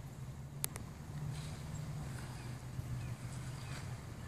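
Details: Steady low rumble like an engine or wind, with two sharp clicks near the start and no animal calls.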